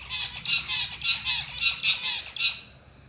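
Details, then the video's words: Lovebird giving loud, harsh, high-pitched chirps, about eight evenly spaced notes in under three seconds before falling quiet. "Love birds sounds & Chirping"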